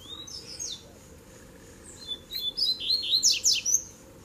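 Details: Three double-collared seedeaters duelling. The seedeater song is a short high phrase, then a fast run of about eight sharp, sweet whistled notes sliding up and down, over a steady low background hum.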